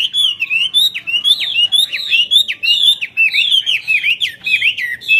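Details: Chinese hwamei in a singing bout with wings flared: a continuous stream of loud, looping whistled notes, each swooping up then down, delivered briskly with barely any gaps.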